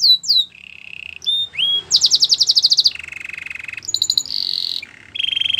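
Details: Belgian canary song with varied tours: quick falling whistles, a steady buzzy roll, a rapid pulsed trill, then alternating rolls and bright whistled notes, a faint low hum in the background.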